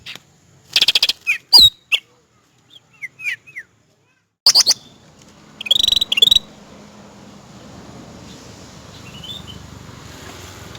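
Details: Cucak rante, male and female mentioned, natural wild-type song for training and luring: short sharp whistled chirps and upward swoops in scattered bursts, mixed with loud dry clicking and rattling bursts, then a steady rural background hiss.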